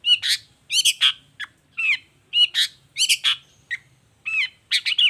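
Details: Energetic 'toet toet' singing of a long-tailed shrike, played to make reluctant shrikes respond: repeated harsh, nasal, buzzy notes in clusters of two or three, with quick whistled inflections between.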